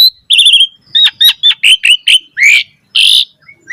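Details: Asian pied starling song, used as a lure for other starlings: a wavering whistle, then about seven short clipped notes at quick pace, followed by two harsh, buzzy bursts.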